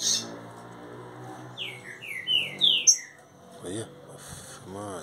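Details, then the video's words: Young caged Green-winged saltator singing a quick run of descending whistled notes, then a sharp high note, over a steady buzzing hum with brief speech and other background sounds. "trinca ferro mansarrão 30 dias já está matando tudo"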